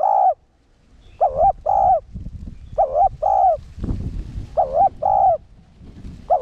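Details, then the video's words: Spotted dove singing as a decoy in the one-ending style for provoking caged males; four double-coo phrases of wavering mellow notes over a low rumbling, hissing background. "Cu gáy mồi cây 1 hậu gù, thúc kích bổi điên máu ức chế. cu đất gáy"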